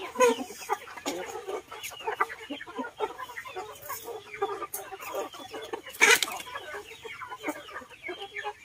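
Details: Garden flock of chickens with ducks at feed, a steady mass of soft clucks and pecking-like clicks, one sharp loud call standing out about two-thirds through.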